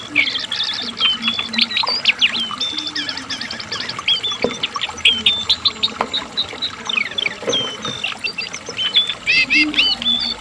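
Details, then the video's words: Asian brown flycatcher singing at length, offered as training material for caged songbirds: long run of thin high whistles, zigzag sweeps and buzzy trills with few pauses, faint low hum beneath. "CINGCOANG || JONGKANGAN GACOR TELER NGEPLONG AMPUH buat MASTERAN dan PANCINGAN burung kesayanganmu"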